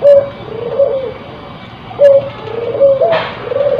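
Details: Crossbred spotted dove in breeding condition giving soft, low coos, short notes and brief hoots, against a hissy background with one sharp click.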